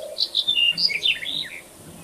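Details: A Black-headed bunting singing in the wild gives one brisk, scratchy phrase of high chirped notes lasting about a second and a half, then fades into quiet hiss.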